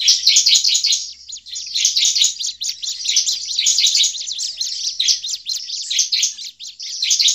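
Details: Agitated Bar-winged prinia calls, a lure for catching prinias in forest: continuous loud, high, scratchy chattering with rapid chirps crowding together throughout.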